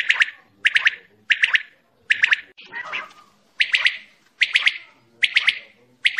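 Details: Quail giving a fast call: quick bright chirping triplets repeated about every two thirds of a second, with one rougher, noisier phrase in the middle.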